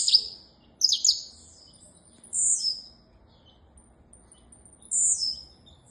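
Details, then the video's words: Saffron finch giving a few high, sharp chirps, then two separate sustained buzzy phrases with long quiet gaps between them. "Canário da terra"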